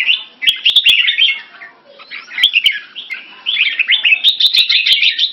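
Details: Red-whiskered bulbul (Jambul), a Singapore-kept bird in French molt, sings against another bulbul and other birds in a competition. Bright, chattering warbled phrases come in quick bursts, with sharp clicks throughout and a brief quieter gap midway.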